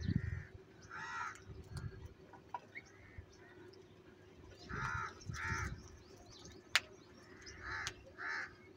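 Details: Crows quarrelling over food: repeated raspy caws in short bursts, several in quick pairs, over a quiet background with a steady low hum and occasional clicks.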